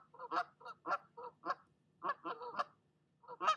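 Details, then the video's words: Goose guarding her nest against another goose, sounding short, loud, raspy honks in two quick flurries separated by a short silence. "Mama Goose does NOT like visitors, and she'll let you know it!"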